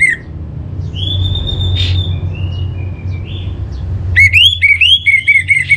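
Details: Lure song of an orange-headed thrush for cage birds. A brief loud note opens, then quiet distant whistles, then a strong run of clear rising whistles and repeated ringing notes near the end.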